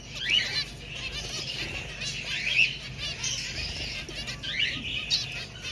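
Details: Finch singing: high, sweeping chirps and short trills repeated about every two seconds over a steady background hiss.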